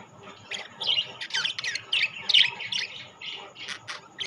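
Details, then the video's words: Mixed group of rainbow and classic budgerigars chattering busily, with tight runs of scratchy chirps and warbled squeaks tumbling over each other almost without pause for four seconds. "বাজরিগার পাখি"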